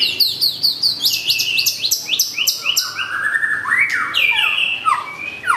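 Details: Long-tailed white-rumped shama (murai batu) in full song: rapid varied series of sharp downslurred whistles and chirps, then lower sweeping notes and trills, continuous and energetic.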